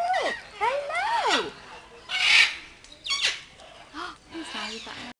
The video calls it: Yellow-Naped Amazon Parrots Talking